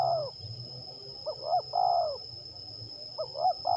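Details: Zebra dove (terkukur) from Liwa, West Lampung, Indonesia, heard in a singing contest test; a lure bird sings soft cooing phrases, each a short note followed by a longer rolling coo, repeated with pauses, over a steady background hum.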